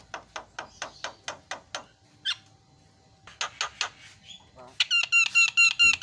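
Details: Javan myna lure song to make a silent bird sing: a steady series of dry clicking chacks, a pause, more clicks, then loud nasal, buzzy repeated squawks.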